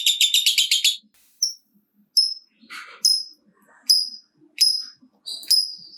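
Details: Lovebird chatter of the kind used to provoke other lovebirds into singing: a second-long burst of rapid, high buzzy pulses, then separate sharp, high chirps and short clicks spaced across a quieter stretch.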